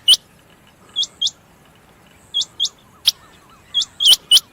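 Rain quail giving sharp, high, metallic notes in quick doubled pairs, 'whit-whit', repeated every second or so, with a faint wavering whistle in the background.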